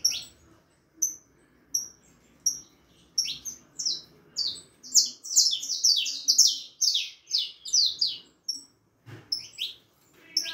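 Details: Four-and-a-half-month-old young harlequin saffron finch sings: isolated thin whistled notes at first, building into a quick jumble of high sliding chirps, then easing back to spaced notes.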